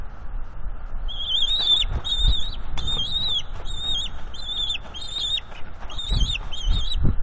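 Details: Squeeing juvenile bald eagle, northeast Florida nest, 19 April 2021, mantling fish and claiming them from mom and dad; rapid series of about nine short, high whistled notes with slight wavers, with occasional low thumps and wind.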